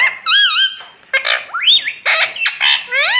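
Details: Indoor talking rose-ringed parakeet, said to speak words such as "mummy", pours out a dense string of loud, harsh, warbling syllables with rising and falling sweeps, almost without pause.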